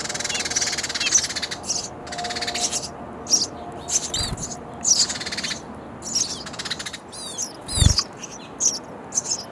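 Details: Baby sparrows in a bird house nest calling for food amid parent visits; a busy mix of hissing bursts, quick slurred chirps and wing-flutter thumps, with a low background hum.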